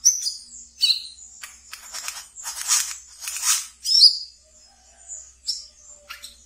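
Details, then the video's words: Kept pet wiceh singing ngeriwik style, used as a training lure for young brown-throated sunbirds; thin, very high chirps and short twittering bursts come in irregular clusters, with sharp down-slurred notes between. "Wiceh Ngeriwik Yang Asyik Untuk Di Pelihara dan bisa untuk Pancingan Terapi Bahan kolibri kelapa"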